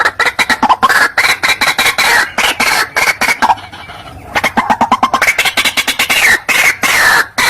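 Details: White-breasted waterhen lure call used for trapping birds: dense bursts of harsh, clucking notes in quick succession, briefly pausing midway before resuming, loud and close.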